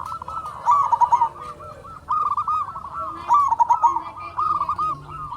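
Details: Local zebra dove singing often, used as a lure to excite other zebra doves into answering; low, hoarse cooing phrases with quick rolling trills, repeated every second or so over a constant background hiss.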